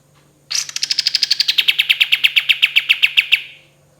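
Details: A long fast volley from a kapas tembak in full song: roughly three seconds of rapid, regular, ringing notes that start higher and slide steadily lower, over a constant low background hum.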